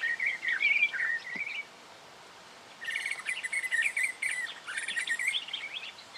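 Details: In Victoria, Australia, October 2011, a black honeyeater's scratchy twittering chatter runs for about a second and a half, stops for over a second of quiet, then resumes in quick buzzy, warbling bursts.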